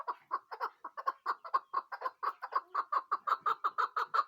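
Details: Chukar partridge giving a rapid run of clucking chuck notes, about four to five per second, fairly low and even, repeated steadily throughout in a small indoor space.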